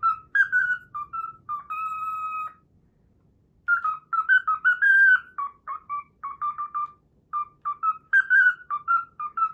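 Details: Cockatiel whistling its learned version of the Pythagora Switch theme: bouncing whistled phrases, one long held note, a brief pause, then quick repeated paired whistles, with faint low hum beneath.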